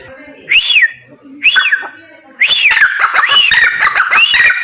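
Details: Female grey francolin giving two separate harsh, arched squawking notes, a pause, then a rapid run of similar rising-and-falling notes about every half second, with faint low background sounds during the gaps.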